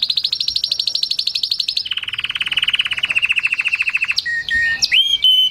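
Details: Singing canary delivering long rattling trills of rapidly repeated notes, first higher then dropping to a lower roll, followed by a few clear whistled slides and chirps.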